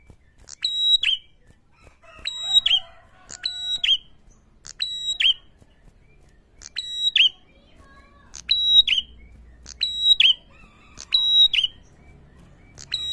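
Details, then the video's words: Prinia call used to provoke and agitate other prinias: a steady series of sharp, ringing whistled notes with a twangy downward tail, repeated roughly every second or two in short bursts, in a quiet setting. "pancingan ampuh bikin prenjak mana saja bakal emosi"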